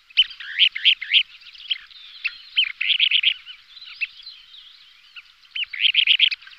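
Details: Displaying Kentish plover pair: repeated clusters of rapid high chirps about four per second, separated by scattered single ticks, with faint overlapping calls in the background.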